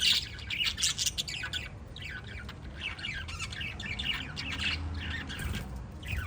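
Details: Lovebirds, five kept together as pets, giving dense overlapping high twitters and squeaks, loudest at the start, then a steady busy chatter over low background noise.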